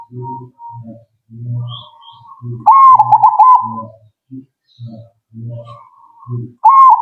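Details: Zebra dove answering right away. It gives a loud rolling coo of rapid wavering notes, then the start of another. Deep, regular low pulses and soft higher notes run throughout the recording.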